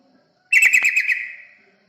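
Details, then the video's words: Yellow-vented bulbul, recorded as a lure to draw other birds near. One loud, rich chattering phrase of rapid pulsed notes runs about a second and then dies away softly. "Pancingan burung terucukan"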